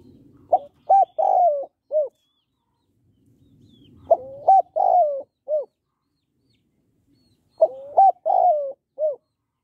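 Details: Female spotted dove, hạp bổi voice, calling to rouse males: three cooing phrases about every four seconds, each two short rising notes, a long sliding coo and a closing short coo, with faint low rumbling between phrases.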